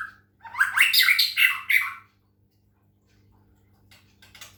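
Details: Captive Medan white-rumped shama given water-sound therapy to bring it into full song, producing a dense, harsh, squawky burst of rapid notes lasting about one and a half seconds, then near silence and a few faint scratchy notes.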